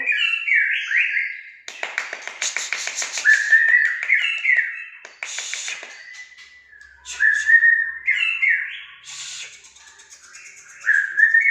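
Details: White-rumped shama of the Aceh type, a kept bird named El Capitano, alternating rich rising and falling whistled phrases with dense rattling, scratchy bursts, sung loudly and continuously in an indoor setting.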